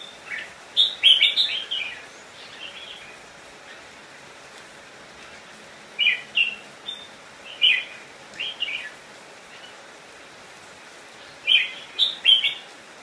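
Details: Decoy red-whiskered bulbul song meant to lure wild birds in to fight: three bursts of lively, jumbled whistled notes near the start, the middle and the end, with long quiet pauses between.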